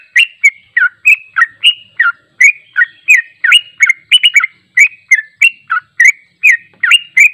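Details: Sooty-headed bulbul singing its long trilling 'ropel' song, unedited, for training: lively, sweet whistled notes slurring up and down in a rapid, nearly continuous chain, about three per second, with no other sounds.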